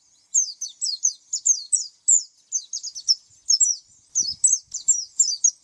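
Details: Oriental white-eye pouring out rapid high chirps in tight rhythmic series, each note slurring downward, with a faint low knock partway through.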